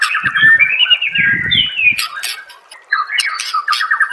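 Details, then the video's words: White-rumped shama (murai batu) master song for training caged birds: dense, scratchy chattering and whistled runs with a short quiet gap, plus a low rumbling sound beneath the first two seconds. "murai batu anda dengar suara MASTERAN burung seperti ini"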